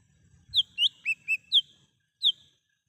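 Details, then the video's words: Lesser green leafbird heard in the wild, used as a lure. Five rapid whistled notes swinging between high and lower pitches, then a lone high whistle after a short gap; faint low rumble early on. "Suara asli cucak hijau mini / cucak Rante di alam liar"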